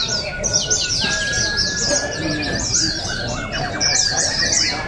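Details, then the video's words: Contest white-eyes at the 2023 Balingian open song and style competition in Sarawak: continuous high, slurred twittering notes in rapid sequence from several birds, with a quieter lower trill and soft voices behind. "Juara Pleci | Pertandingan Seni Suara dan Gaya Burung Terbuka Sarawak Pesta Bederun Balingian 2023"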